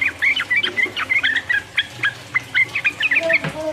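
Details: Sooty-headed bulbul 'ropel uplik uplik' song, played to excite rival birds. Short whistled notes come in choppy groups of two and three, ending with a lower slurred note and a soft thump.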